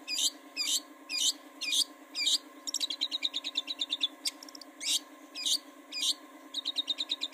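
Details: Long-tailed shrike song played to lure birds into singing: loud harsh notes about twice a second, broken by quick ticking chatter runs, with a constant low hum behind.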